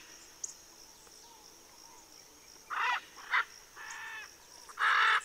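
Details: Macaws cooling off on 7-12-2023 in Southern California; after a quiet start, four coarse, grating squawks come in the second half, the last one loudest, over a constant thin high-pitched hum.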